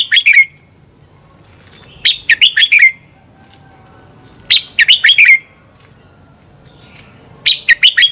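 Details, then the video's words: Red-whiskered bulbul song used to make birds sing in competition: four similar phrases of five or six rapid whistled notes each, repeated about every two and a half seconds with clean silence between. "Luyện chào mào hót sáng Giọng xoắn kép hay KÍCH CHIM CĂNG HÓT ĐẤU, luyện chào mào căng lửa"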